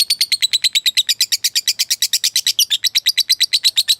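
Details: Lovebird, a fighter bird calling its rival, gives a long unbroken ngekek chatter, a fast even series of about thirty harsh rasping notes in four seconds.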